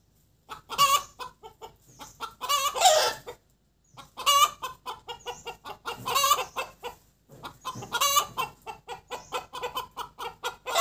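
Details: Vietnamese laying hen in full cackle, cục tác: continuous bursts of fast, sharp clucks punctuated by loud, raspy, stretched squawks about every two seconds, with only a short pause midway.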